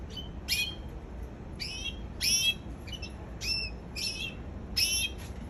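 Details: Canary singing, giving short, bright chirped notes. Each is a quick rising burst, repeated roughly every second, over a steady low hum.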